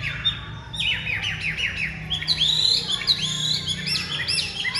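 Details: Chinese hwamei, a kept songbird with pure white wing feathers and a large build, praised for an excellent voice: a loud, varied run of quick slurred whistles and chirps, many notes sweeping up or down, with a steady low hum beneath.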